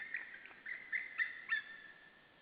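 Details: Wild white-tailed eagles at their nest in Saunja, Estonia, at 12:56 on 17 March 2013, as the female arrives to take over from the male: a run of five thin, yelping calls, rising in strength and spaced about a quarter second apart.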